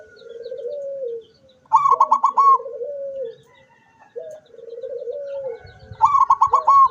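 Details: Zebra dove singing with its beak open, recorded 24 September 2023: low purring trilled coos that rise slightly and then fall, alternating with bursts of higher staccato, stuttering notes, repeated in a cycle about every two seconds.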